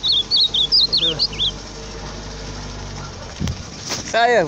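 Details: Ultramarine grosbeak singing loudly: a fast burst of high, looping whistled notes for just over a second, then rustling, knocks and a brief harsh harmonic call near the end.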